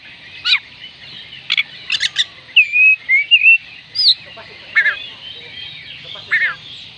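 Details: Song of the Oriental magpie-robin, or kacer, used to get unwilling birds singing: sharp high chips, then smooth drawn-out whistles and scattered bright notes at varied pitch, against a quiet hum.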